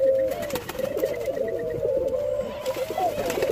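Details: Jamaican white-crowned pigeons being hand fed, producing a continuous wavering mid-pitched tone with small rising and falling wiggles over a few seconds, with faint clicks and handling noise.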